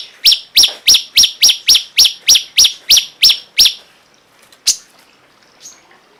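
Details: Cungkok giving a steady, evenly spaced series of about twelve loud, high, downward-flicking chirps over nearly four seconds. The series then stops, followed by one isolated chirp and a faint final note.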